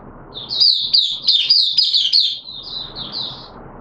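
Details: Oriental white-eye in wet weather, kept as a song bird: one dense, high, warbling phrase of quick overlapping slurred notes that trails into a softer descending twitter.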